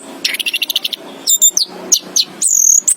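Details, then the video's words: Orange-headed thrush (anis kembang) chirps: a rapid stuttering run of high notes, then separate sharp high chirps and a long, thin, level whistle near the end. "chirping of the anis kembang bird"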